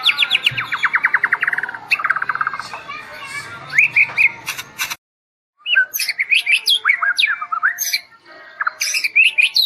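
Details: White-rumped shama of the Medan type, a kept songbird, singing a varied song: fast trills of repeated whistled notes, then a brief silence and a run of rising and falling whistles with sharp chirps.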